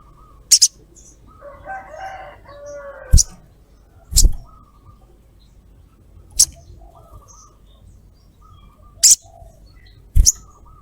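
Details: Female sogok ontong calling to a male, used as a lure call: sharp, broadband double chirps, 'cret cret', repeated irregularly about every one to three seconds, over faint low whistles from other birds.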